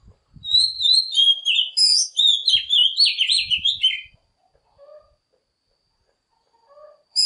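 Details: Oriental magpie-robin song played as a lure to call wild birds and train young birds: about four seconds of rapid, varied whistles and chirpy trills, then near-silence with two soft low notes before the singing returns.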